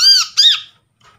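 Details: Brown-throated sunbird, recorded from a trapped bird and used as a lure to prompt silent birds to call: two loud, ringing, arched notes in quick succession, rich in overtones, then a faint trailing note in an indoor setting.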